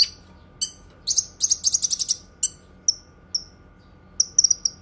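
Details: Cucak kinoi singing, a recording meant for training other birds and for therapy: a chattering sequence of rapid high notes, then spaced thin falling whistles and a final quick flourish.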